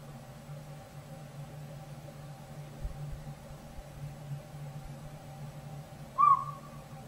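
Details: One clear whistled hoot near the end from a robin-sized Northern Pygmy-Owl that has moved into an old sapsucker hole in a rotted backyard tree, with squirrels nearby; a steady low hum runs underneath.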